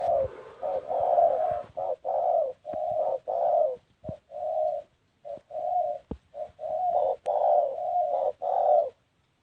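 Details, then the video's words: Spotted dove cooing in an unusual style: a long run of low, hollow coo notes, short and longer units strung in uneven groups with brief gaps, steady mid pitch throughout, a few faint clicks. "tiếng chim cu gáy gù độc lạ mới hay nhất"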